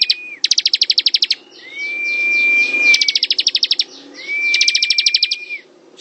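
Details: Fast, sharp ticking trills alternate with long, smooth, level whistles from a bar-winged prinia singing in ngebren style, each trill about a dozen notes, over a soft high hiss.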